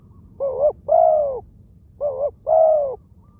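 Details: Spotted dove decoy, wild-caught, with a small voice and many coos; two matched phrases about 1.5 seconds apart, each a short wavering note followed by a longer mellow croo.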